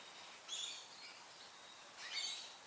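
Fawn-breasted bowerbird giving two brief, harsh, hissing rasps about one and a half seconds apart, over a steady background hiss.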